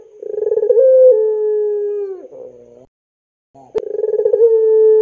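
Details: Pelung Barbary dove lure call for teaching young birds: two drawn-out low coos, each starting with rapid throbbing pulses and holding a steady tone, separated by a short pause with a faint click.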